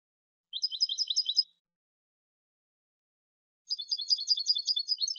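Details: A goldfinch delivers a quick series of repeated high chirps, then after a pause a longer, denser twittering phrase that continues to the end.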